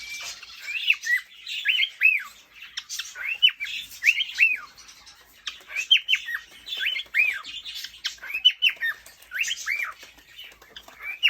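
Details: Male cockatiel courting a female in a cage, whistling and tapping his beak on cage walls or nest box for her attention; repeated phrases of arched, chirpy whistled notes with scratchy bursts between, recurring every couple of seconds.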